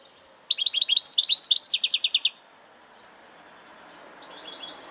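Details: Saka kuşu song: a tight string of high, squeaky twitters and a rapid trill lasting nearly two seconds, then a pause before softer, distant twittering returns over a faint background hum.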